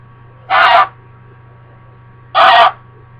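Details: Indoor pet American Buff goose, a female wearing a diaper harness, upset at being left alone. She gives two loud, rasping honks about two seconds apart against a constant low electrical hum.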